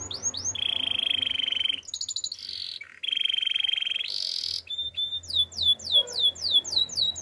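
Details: Russian canary alternating steady buzzy rolls with brief pauses, then breaking into a quick series of falling whistled notes. Soft low hum in the background.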